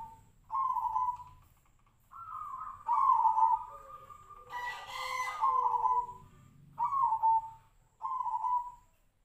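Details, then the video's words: Zebra dove (perkutut of the 'Tejoanom' voice type) sings soft, mellow, held, gently falling cooing phrases a second or two long with short pauses, a voice likened to the sirtu bird, over a faint low hum. "PERKUTUT TEJOANOM|| SUARA SEPERTI BURUNG SIRTU-SIRPO"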